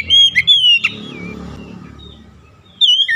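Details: Oriental magpie-robin singing a lure song meant to stimulate caged birds: short bright whistled phrases at the start, a soft stretch with low rumbling indoor or traffic noise, then another quick whistled burst at the end.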